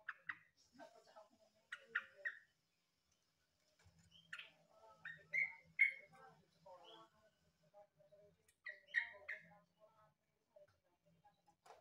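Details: Yellow-vented bulbul, called trucukan locally and likened to the green leafbird, sings bubbly phrases of short rising and falling whistles in bursts of about a second, separated by brief pauses, with a faint low hum beneath.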